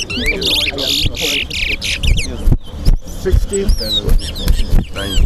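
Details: During a towa towa (chestnut-bellied seed finch) singing competition at Guyana National Stadium, buzzy chattering bursts and scattered clear whistles mix with loud speech and crowd noise.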